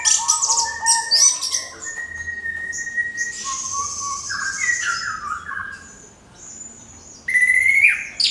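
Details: Orange-headed thrush pouring out a lure song to provoke other birds: shrill chirps and high whistles at first, then long level whistles and rising slurs, a brief lull, and a loud burst of squeaky notes to finish.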